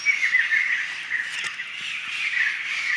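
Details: A wild flock of laughingthrushes in a Sumatran forest gives a dense, continuous chattering chorus of overlapping harsh squawks and short notes. The babble swells and fades with no pause over the whole stretch.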